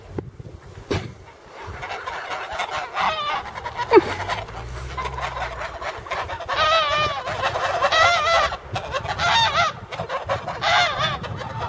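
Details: Guardian geese kept in place of dogs somewhere in Poland, warning of strangers on the property: loud, harsh nasal honks, starting scattered and then building into overlapping bursts from several birds, with low rumbling background noise.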